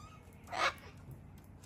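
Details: Cockatoo giving one loud, harsh, broad screech about a quarter second long, standing alone against quiet background noise.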